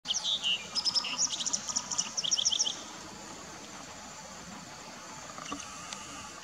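White-browed wagtail giving a quick jumble of high, sweet chirps and twitters for nearly three seconds, then quiet with only faint background hiss.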